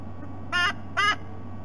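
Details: Female white-bellied sea eagle on her Australian nest with two young eaglets, at 8:09 p.m., gives two harsh, nasal honks after a small owl blunders into the nest, alerting her mate, over a steady low electrical hum.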